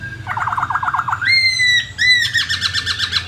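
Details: Masked laughingthrush in the wild: a fast run of short dipping whistles, then two drawn-out bright rising notes and a final burst of buzzy trills, with low background hum.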